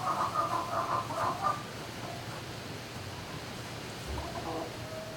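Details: Barn-housed turkeys calling at night, 11-05-2018: a rapid run of rattling, pulsed notes in three bursts during the first second and a half, then quieter, scattered calls over a continuous low mechanical hum.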